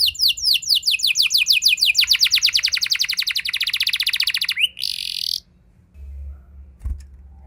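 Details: Canary delivering a luxurious 'ngeroll' roll to lure other canaries into singing: rapid descending notes that tighten into a fast rolling trill, a short buzzy burst, then near silence with low background hum.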